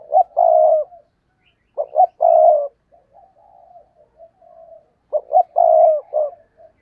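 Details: Spotted dove used as a decoy to draw in wild doves, cooing a repeated phrase three times: short throaty hoots, a long sustained coo, a clipped final note, then faint softer cooing between phrases.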